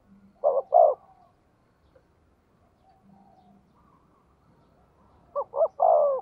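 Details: Decoy spotted dove heard twice: a short double note and falling coo at the start, a quieter stretch, then another full phrase of two hoots and a long coo at the end.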